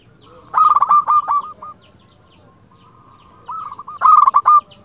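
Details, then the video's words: Local zebra dove, a strong singer used to lure and excite other doves: two loud cooing phrases of rapid stuttered notes running into a rolling trill. "Perkutut lokal gacor RAJA PIKAT ini ahlinya bikin semua burung perkutut gacor NYAUT"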